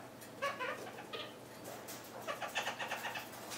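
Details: Red-fronted parakeet hen, kept indoors and in breeding condition, investigating the space under her food bowl as a possible nest site; short harsh chattering bursts in quick clusters, with scratching and rustling between them.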